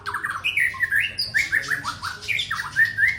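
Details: Male white-rumped shama, a prized songbird, singing a brisk run of clear whistled slurs and rasping squawks, notes rising and dropping in quick succession throughout.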